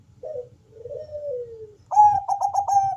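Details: Bangkok-strain zebra dove with a thick, bass-heavy voice sings to coax other doves into answering. One short note slides into a long falling coo, then a loud pulsed trill rolls out, over a faint low hum.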